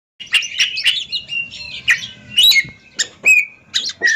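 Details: Oriental magpie-robins (ringed birds) dueling in song competition: rapid bright whistled phrases, harsh chirps and clear sustained whistles in short bursts about every half second.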